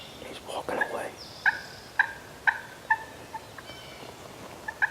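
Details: Wild Turkeys approaching decoys during a spring youth hunt in New York: a series of loud, sharp notes spaced about half a second apart, with a faint high whistle and soft rustling.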